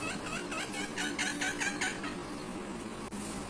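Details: A Black-rumped Flameback, one of two woodpeckers in a large neem tree behind an urban Kolkata house, gives a fast rattling series of harsh, strident notes, about eight in under two seconds, over a low background hum.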